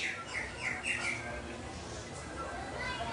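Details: A captive eclipse-variety double-collared seedeater gives a quick run of about five bright chirped notes in the first second, then fades into steady background hiss.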